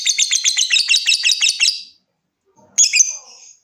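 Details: Lovebird trilling song, used to get other lovebirds trilling: a fast pulsed chattering trill of almost two seconds, a pause, then a short squeaky whistled note.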